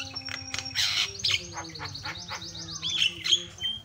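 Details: Javan myna, a tutor recording with varied, energetic song used to train and provoke other mynas: rapid mixed chirps, short whistled notes and buzzy high bursts, several rising and falling slurs, over a steady low hum.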